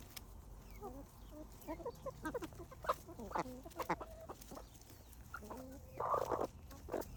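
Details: Farm hens feeding on fresh bread from a wicker bowl set on grass, clucking steadily in quick bursts of short stacked notes, with a louder burst near the end.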